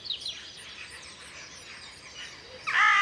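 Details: Western jackdaw at sunrise in spring 2020, recorded with a Sony FDR-AX100 camera: one loud, harsh, harmonic call bursts in at the end, after a faint background of high twittering from other birds.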